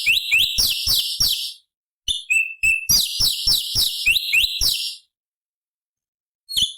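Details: Cucak cungkok bulbul song used to tutor other songbirds, high-octave variations: quick series of sharp descending chirps in two bursts separated by brief whistled notes, then a long silence and one final chirp.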